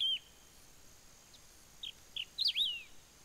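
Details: At Ouro Branco, Minas Gerais, Brazil, a wedge-tailed grass-finch sings a brief high phrase: a few short chips, then a louder wavering, squeaky slurred note falling away at the end.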